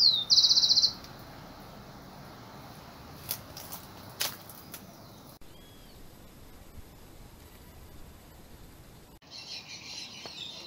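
House wren giving a single rapid, high chattering burst lasting about a second, then quiet outdoor hiss with faint distant chirps.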